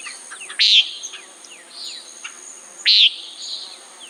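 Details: Common nighthawk giving two harsh, nasal, buzzy calls a little over two seconds apart. Faint high chirps and whistles sound in between.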